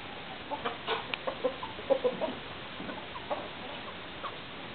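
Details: Domestic chickens kept with roosters give short, soft clucks in loose irregular bursts of three or four notes, with quiet pauses between them and a low background hum.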